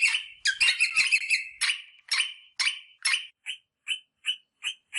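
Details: Rosella calling to stimulate mating, with harsh chattering bursts slowing into separate notes, ending in short high whistles repeated about twice a second.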